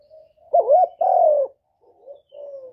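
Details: Spotted dove cooing, used to stimulate newly kept birds: a low, hollow two-part coo, with a wavering first note and a longer, slightly falling second note, followed by fainter, softer coos in a quiet setting.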